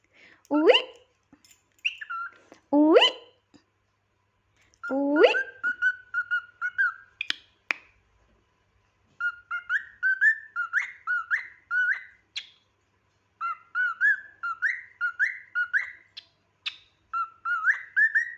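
A cockatiel gives a few harsh rising squawks, then strings of short, bright whistled chirps.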